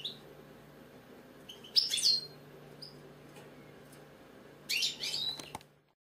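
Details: British European goldfinch giving two short bursts of high twittering song with quick tinkling notes, separated by a few seconds of near quiet and a faint hum.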